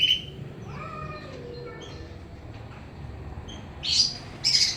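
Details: Greater green leafbird, Pakpak type, singing in a noisy setting: an opening sharp chirp, a few thin sliding whistles, then two loud bright chirp bursts near the end over a low background rumble.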